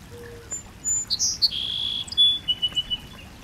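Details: Bird singing in clear, high tones: scattered thin chirps, two strong sharp notes, a sustained level whistle lasting about half a second, then a run of short rapid twittering notes over a faint hiss.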